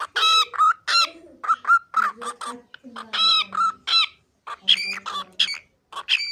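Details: Pet cockatiel talking, with high, clear, speech-like syllables in quick irregular bursts. A lower human voice is heard beneath them, and the Turkish phrases "cici kuş" and "babacığım" are spoken nearby.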